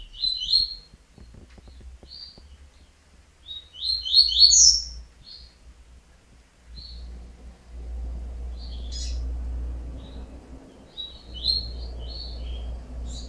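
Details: Yellow-bellied seedeater (coleiro baiano) giving short bursts of high, quick chirping notes in clustered phrases, with gaps between them; a low rumble and faint broadband hiss run underneath in the second half.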